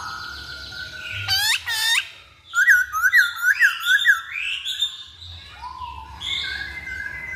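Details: Masked laughingthrush delivering two steep upswept whistles, then a rapid run of five wavering, looping notes, followed by lower steady whistled tones.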